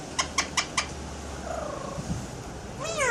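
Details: A pet Alexandrine parakeet doing sound effects makes four quick, sharp clicks, then a soft falling whistle and a rising, harmonic squawk-like note; no clear words are heard.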